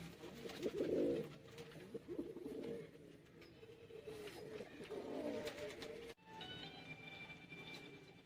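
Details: Pair of domestic pigeons cooing: deep, rolling bursts, loudest at the start and again midway, then a sudden cut to a quieter scene with a faint high whine.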